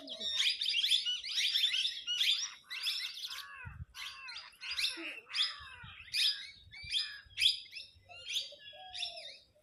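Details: A flock of parrots talking among themselves and quarrelling over food, giving loud, grating, downslurred squawks in rapid overlapping series, with a soft low note near the end.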